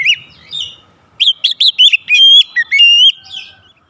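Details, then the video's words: Oriental magpie-robin singing varied 'isian' fill material, played as therapy to stimulate singing: clear, high whistled notes that rise and fall, delivered in rapid bursts with a few sustained tones near the end. "terapi Kacer langsung panas keluar variasi isian"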